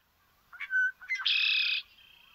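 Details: A male Red-winged Blackbird, singing one of its four to eight song versions, gives a short gurgled introductory note, then a loud, buzzy, ringing "conk-la-ree" trill about half a second long that fades out quickly; typical of marshes.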